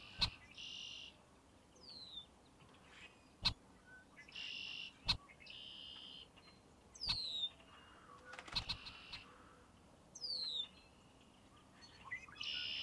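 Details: Red-winged blackbird singing, several buzzy, rattling trills about half a second to a second long, repeated every two to three seconds, with thin descending whistles and sharp clicks between phrases.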